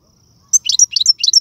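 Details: Algerian goldfinch delivering tiwawati galoubi and sarfati song: a tight string of bright, high liquid chirps in pairs, quick and evenly spaced, with a thin whistle note carrying underneath.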